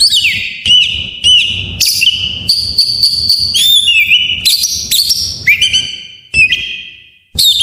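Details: Song of a white-rumped shama meant to draw out quiet shamas: a string of short whistled phrases, each rising then falling, at shifting pitches, with brief silent pauses near the end.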